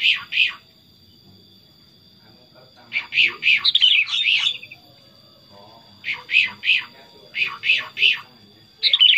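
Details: Chatty tame Sooty-headed bulbul kept as a pet: bursts of loud, rapid chirped notes in groups of two to four, plus a brief descending warble, with a steady electronic whine throughout.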